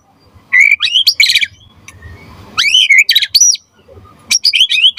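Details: Singing white-rumped shama (murai batu) used to lure and tutor other birds into song: rich whistled notes rising then falling, mixed with harsh rattling bursts, in three short phrases separated by brief pauses.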